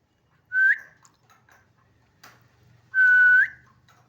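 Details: Two clear whistled notes from a pet talking parakeet, each held level and then turning sharply upward, about two and a half seconds apart, with a faint click between them.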